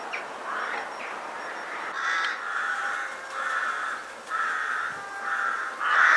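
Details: Rooks at their pre-dusk winter gathering place, Ottakring cemetery in Vienna; distinct rasping caws repeated about every half second over a background murmur of the flock, ending in a loud close call.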